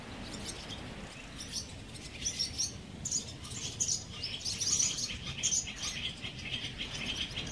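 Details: Barn swallows at a colony under a bridge in Mercer County Park, New Jersey, giving dense bursts of high, sharp chirps and twitters that overlap steadily, with a low rumble of background noise beneath.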